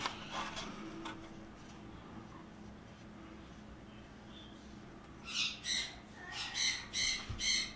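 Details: A pet female sun conure, described as very loud, gives a rapid series of loud, harsh, piercing screeches after a quieter stretch.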